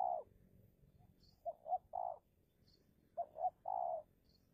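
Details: Spotted dove used as a decoy to lure wild doves in a territorial contest, Indonesia. Two phrases of cooing: two short low coos followed by a longer drawn-out coo, repeated with brief pauses; faint high chirps of other birds in the background.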